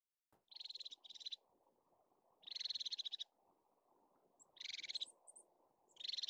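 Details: Crested tit in Caledonian pine forest in the Scottish Highlands gives four high, rapid purring trills, each under a second, with a few thin high notes between, over a steady low background rush.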